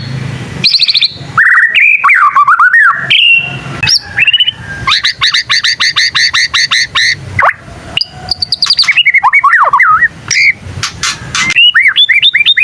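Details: Young white-rumped shama practising its song, which is said to prompt other shamas to reply: varied loud whistles, rapid repeated chirps and trills, and sharp sweeping notes delivered in fast bursts.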